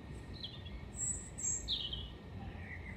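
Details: Singing European robin (Erithacus rubecula), Hengelo, 5 May 2018: a short fragment of very high, thin sibilant notes and a brief trilled whistle, against constant low-pitched background noise.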